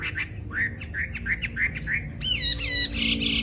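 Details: Caged Chinese hwamei, famed for a loud voice and for copying other birds, giving a rapid row of short rising notes, then several bright downslurred whistles and a final burst of harsh high sound.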